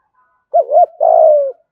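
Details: Brief 'gù thúc' coo of a spotted dove in the 'thổ' voice, meant to attract wild doves: a quick bending double hoot runs into a long steady, slightly vibrating coo that drops at the end.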